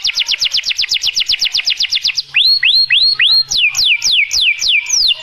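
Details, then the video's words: A songbird gives a fast, high trill of about twenty notes, then slows into loud, slurred whistles that swoop up and down, about three per second. "Bird 🐦 Sound"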